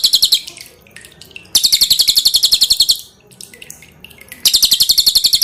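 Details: Pin-striped tit-babbler (cililin) song used as masteran for training cage birds, loud and dense in character: rapid high bursts of sharp repeated notes in three phrases, quieter ticking between, with water dripping.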